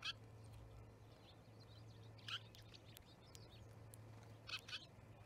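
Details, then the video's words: A flock of starlings gathers at a Charlo, Montana osprey nest, picked up by a live nest camera on 10/07/2019; harsh, rasping bursts come roughly every two seconds among faint twittering, with a constant low hum beneath. "Starling Party"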